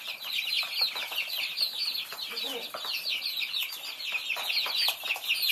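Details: Thai baby chicks busy feeding; piercing little peeps stream nonstop from many birds at once, each note dropping in pitch, with light tapping sounds mixed in.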